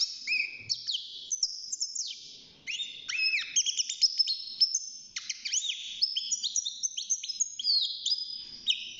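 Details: Young caged European goldfinch, six months old, just beginning to sing: a dense, rapid run of high twittering notes, sharp upslurs and buzzy trills, with a brief pause midway before the chatter resumes.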